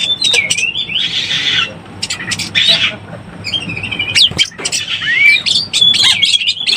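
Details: Oriental magpie-robin in breeding condition, used as a lure: sliding clear whistles mixed with harsh buzzy squawks and short gaps, with faint background noise.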